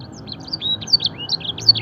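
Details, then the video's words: Fancy canary singing a training song filled with blackthroat and edel sanger phrases; a short burst of bright warbled whistles, slurred upward and downward notes, against faint low background hum. "masteran suara burung kenari full isian mewah blackthroat dan sanger gacor"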